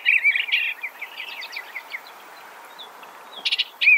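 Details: Eastern Bluebird with a burbling warbled phrase trailing off into softer, fainter notes, a near-silent pause, then a sharp burst and a loud slurred note at the end.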